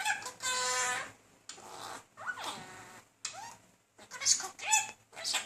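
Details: Male pet budgerigar persistently chatting up a female: a long nasal, harmonic squawk-like note followed by rising and falling whistled squeaks mixed with scratchy warbling chatter.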